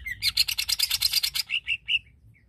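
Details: Greater green leafbird song aimed at stirring other leafbirds' aggression: a fast grating rattle of about twelve buzzy pulses, slowing into a few separate harsh notes before fading.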